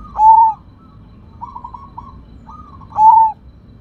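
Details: Loud-voiced Sumbawa zebra dove, a rare type, opens with a strong slurred coo, follows with a soft bubbling run of quick staccato notes, and closes with another loud coo.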